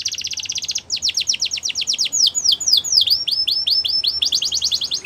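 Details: Champion song of a Belgian canary, used as a training model for young canaries: a dense rapid trill of sharp descending strokes gives way to slower looping downslurs, then another fast trill.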